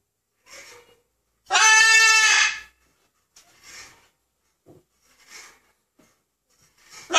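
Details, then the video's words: A 16-year-old macaw "laughing" and then imitating the Exorcist: one loud, harsh, bleating cry lasting about a second, surrounded by several softer raspy breaths and chuckling noises. "Macaw laughing and making demonic noises"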